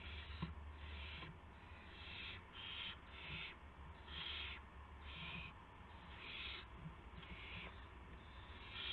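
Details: Nest of owlets around midnight, March 19, 2016, as adults bring mice and a gopher; a long series of short, harsh hissing bursts repeated roughly every half second, over low background rumble.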